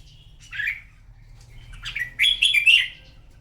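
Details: Red-whiskered bulbul in a morning singing contest, giving a short slurred note followed by a loud run of chirpy, warbling whistled notes that rise and fall quickly.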